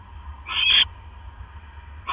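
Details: Single rasping screech from a barn owl at the nest around 1 AM on 12 October 2015 as the male brings in a mouse. The call is short and noisy, with the start of another at the end over a faint low hum.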